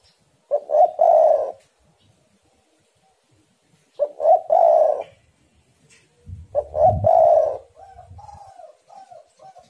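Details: Lure recording of spotted doves that urge each other on. Three cooing phrases of two short notes and a long coo, about three seconds apart. A low rumbling noise and trailing softer coos come at the end.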